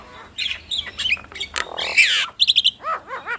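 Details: Two Nias hill mynas duetting: scratchy squawks and a buzzy rasp, then a brisk run of short clipped notes and three arching whistled calls.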